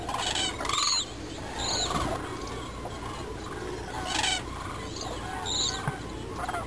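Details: Demoiselle cranes (Grus virgo) at Agamon Hula, Israel, on 12 March 2010 give harsh, croaking trumpet notes in irregular overlapping bursts, likely several birds calling together over a low outdoor rumble.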